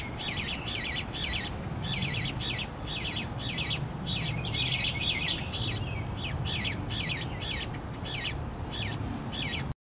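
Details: Young Eastern bluebirds begging as parents bring food; rapid harsh raspy chirps in regular bursts about every third of a second, sustained for nearly ten seconds over low steady background noise.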